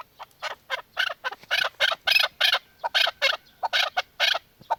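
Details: Harsh, broad clucking from a female chukar partridge, repeated about four times a second in a continuous rattling chatter.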